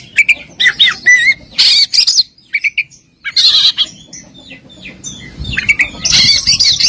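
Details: Competition Oriental magpie-robin in a luxury masteran: sharp whistled notes and harsh rasping bursts in clusters, a silent pause midway, then more varied warbling.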